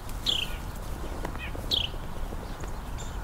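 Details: Carolina Wren by raspberry bushes during a winter Christmas Bird Count. It approaches the recordist closer than his set-down recorder. Two short, high, descending chirps come about one and a half seconds apart over low rumbling background noise.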